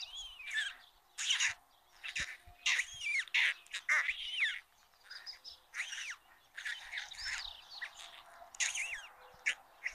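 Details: At a white stork nest on a courtyard chimney in Ságvár, Somogy county, Hungary, during the day's first feeding on 22 May 2022: a long, busy string of hoarse, arching squawks, some overlapping, in uneven clusters.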